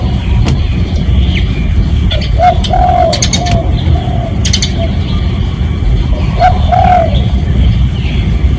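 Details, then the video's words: Spotted dove lure call meant to draw in other doves. A run of soft, breathy coos, a louder falling final note, a pause, then another stressed coo. Faint clicks and a constant low hum throughout. "เสียงนกเขาใหญ่ เสียงจริง ถ่ายจิง เอามาให้ฟังกันยาวๆ เสียงเป็นเสียงต่อ"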